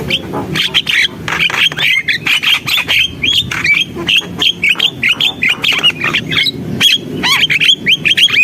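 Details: Javan myna in rapid, chattering song: quick strings of squawks and short whistled notes, many of them bending upward, delivered almost without pause.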